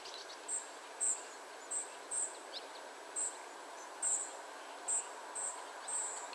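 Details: Family of spotted flycatchers calling: very high, thin, short notes given singly at uneven intervals, about ten in six seconds, over a steady soft background hiss.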